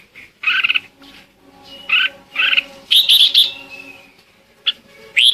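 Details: Red-whiskered bulbul lure bird singing to call the flock: short chirpy phrases and a quick warbled run of whistles, over a faint steady low hum.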